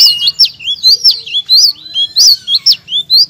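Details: Blue-crowned laughingthrush song played to spur other songbirds to sing loudly. The clip is a clear, loud run of piercing, high, swooping chirps, each note sharply rising or falling, delivered at a brisk, irregular pace.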